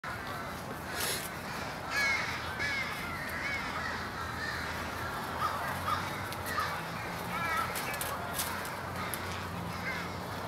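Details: A flock of American crows gathers at an evening pre-roost in Charleston, Coles County, Illinois, USA, on 16 January 2015. Many harsh caws overlap continuously, some rising and falling, over a steady low rumble.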